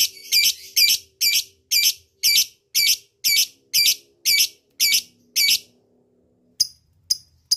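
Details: Lovebird lure sound to call a rival, ngekek style: a run of about a dozen harsh, grating high bursts twice a second, a brief pause, then a few thin ticking chirps.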